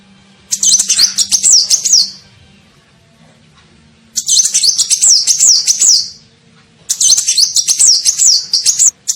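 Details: Olive-backed sunbird (kolibri ninja) lure call used to attract birds: three bursts of rapid, very high, thin twittering with upslurred whistled notes, each about two seconds long and separated by short pauses.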